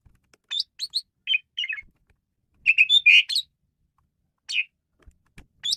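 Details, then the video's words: Male Asian pied starling, used to lure and train birds, giving a varied song of short sharp chirps and whistles in scattered groups, with a dense burst of harsh notes midway and near silence between. "JALAK SUREN JANTAN GACOR BERVAREASI"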